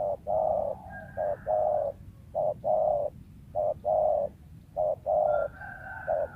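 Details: Spotted dove living wild, used as a lure, cooing in a steady series of short-long note pairs, while a second bird whistles faintly in the background.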